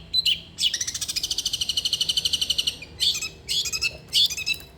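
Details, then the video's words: Long-tailed shrike in spirited song, a recording to prompt a lazy shrike to sing: a few sharp notes lead into a long, fast, buzzy rattle of even pulses, followed by scattered harsh chirps. "irama KICAU CENDET gacor"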